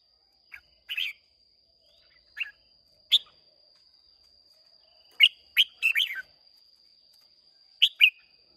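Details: Caged red-whiskered bulbul from Hòa Bình, Vietnam, singing competitively on 30 May 2023: separate bright chirped notes, then a fast cluster of three or four warbled whistles and a final double chirp, against a faint constant high tone.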